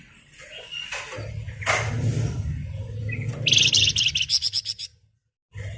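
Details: Grey-headed canary-flycatcher (flamboyan) singing strongly as a lure to set other birds singing: soft notes over a low hum build into a loud series of rapid, buzzy pulsed notes before a brief pause.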